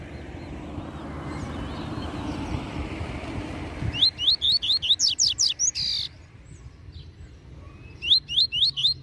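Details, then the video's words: A double-collared seedeater (coleiro) sings a quick run of about eight bright, rising whistled notes ending in a harsh buzz, then a shorter run after a pause, over low background rumble. "Tui Tui Zel Zel Canto Top Para Encarte!!! Coleiro Mestre!!!"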